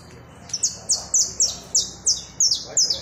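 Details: Saffron finch delivering a lively string of loud, high-pitched chipping notes, roughly three each second, every note a quick downward slur, repeated evenly with little background sound.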